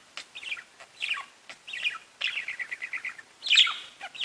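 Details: Parakeets talking to each other with scratchy descending chirps and a fast stuttering trill of repeated notes, ending in a bright loud squeak.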